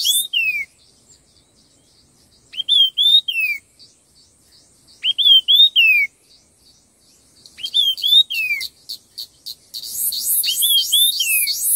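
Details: In a song contest, a red-tailed minla repeats its four-note whistled phrase, rising and then sliding down, about every two and a half seconds, ending in a long harsh buzzy rattle while whistles continue underneath.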